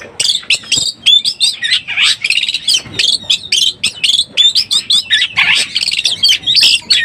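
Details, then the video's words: Lure recording of an Oriental magpie-robin in breeding condition: a continuous run of whistled upslurs, sharp chips and scratchy notes, delivered in quick bursts separated by very short gaps. "SUARA BURUNG KACER BIRAHI_SUARA PIKAT BURUNG KACER"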